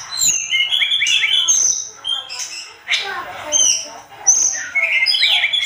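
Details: Sunda robin singing energetically, used as a training recording for songbirds: rapid whistled phrases with rising and falling slurs in quick succession, some high thin notes and short harsh bursts between them.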